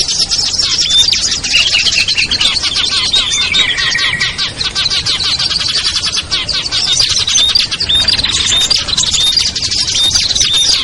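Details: Small-bird lure sound used to bring hard-to-attract birds down: busy overlapping high twittering and sharp chirps, with a brief lower trill near the middle and steady chatter to the end.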